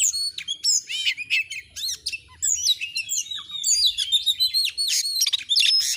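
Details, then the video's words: Oriental magpie-robin song in clear sound: fast tumbling mix of high chirps, buzzy notes and sweeping whistles, delivered nearly without pause. "Masteran burung Kacer AUDIO JERNIH BUAT ANGKAT EMOSI AGAR CEPAT ON NGOBRA,Kacer gacor"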